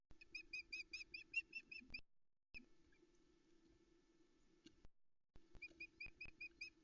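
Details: On a Loch Arkaig nest camera in the Arkaig Community Forest, 13 July 2020, a female Osprey keeps calling to beg for fish while a chick eats a trout. Quick bright piping notes come in bursts, then break off, over a low hum.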